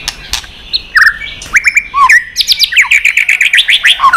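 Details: Tail-flicking White-rumped shama in heated competition song with varied forest-style phrases: scattered whistles and down-slurred notes give way to a quick rhythmic series of bright repeated chips, loud and clear throughout.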